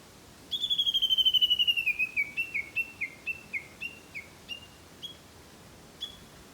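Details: Japanese bush warbler singing close by along a rural mountain path in spring: a long series of whistled notes, fast at first and slowly descending, then spacing out and slowing, the last notes isolated over quiet background.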